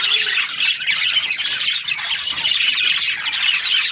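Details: Many budgerigars from breeding pairs chattering together, a thick layer of shrill chirps and scratchy squawks overlapping without pause.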